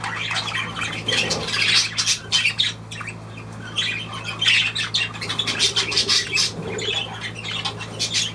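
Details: Several pet budgerigars give rapid, raspy chattering with clipped squeaks in uneven bursts, pausing briefly midway, while a faint steady hum runs underneath.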